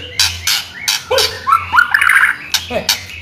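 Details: White-rumped shama in vigorous song, used to train or prompt other shamas to sing: sharp, harsh clicks and squawks at uneven intervals around a fast, warbled twittering phrase in the middle, with a steady low hum behind.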